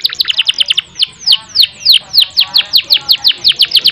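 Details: Canary song, recorded as a master to prompt a stuck canary to sing long rolls: an even run of sharp, high notes falling in pitch, repeated about four times a second, with a brief quicker flurry at the start.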